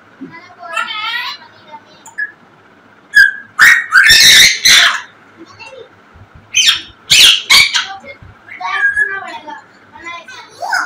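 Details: Singing, dancing African grey parrot producing a varied sequence of wavering, speech-like harmonic phrases, clear whistles and harsh loud squawks in irregular bursts, with short pauses between outbursts and a low steady hum beneath.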